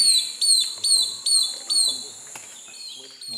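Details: Long-tailed broadbill in Kaeng Krachan, 2018: a series of shrill, high, down-slurred whistles, about five in quick regular succession, then quieter scattered notes.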